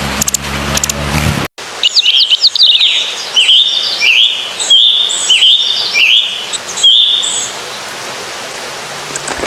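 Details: Bird calling in the open, a series of bright, high whistled notes with sharp upward flicks, repeated roughly once a second, after a brief burst of noise at the start.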